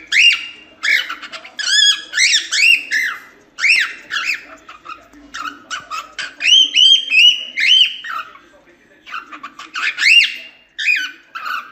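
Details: Cockatiel training song for young birds: long stretches of upward-sweeping whistles mixed with rapid chattering phrases, delivered in bursts with short breaks.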